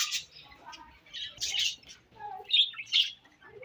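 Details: Pet budgies chirping during feeding; short separate bursts of bright chirps and warbles with brief pauses, a few lower nasal notes, and a quiet background.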